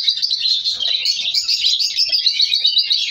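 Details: Color African lovebirds kept as a breeding colony, chicks being separated. Loud, unbroken shrill twittering from many birds, rapid and buzzy, with no pauses.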